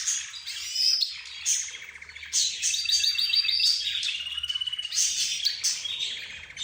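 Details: Budgerigars, zebra finches and a canary singing and calling together. Loud dense twittering with whistled phrases, buzzy trills and a fast rattling series of repeated notes near the middle.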